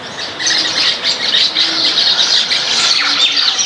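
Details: Baya weavers feeding on grains as a backyard flock: a continuous busy chatter of sharp high chirps and twittering notes, overlapping from many birds at once.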